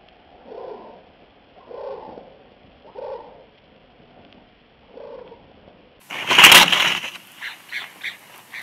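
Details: Wild bald eagle at its nest at Big Bear Lake, California, on 19 February 2021, woken in the dark. It stares out and gives a sudden loud wing slap, then a short run of high, thin, chattering notes. Soft low breathy pulses come about every second beforehand.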